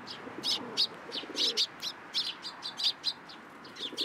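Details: Sparrows flocking onto an outstretched hand for food at a Tenmangu shrine in April 2023, giving short bright chirps in quick irregular bursts, about four per second, with a soft low rumble beneath.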